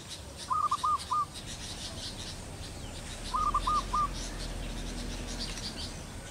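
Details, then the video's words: Zebra dove pair on a teak branch in cool morning air after overnight rain broke months of heat and drought; two short phrases of four rapid, rolling coos spaced about three seconds apart over soft background hiss. "sepasang perkutut menikmati udara sejuk setelah hujan semalam"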